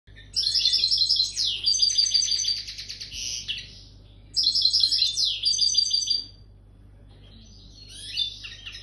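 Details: European goldfinch singing as it comes into breeding condition: bright, rapid twittering phrases of tinkling trills and buzzy notes, delivered in two bursts separated by a pause, with a shorter fragment at the end.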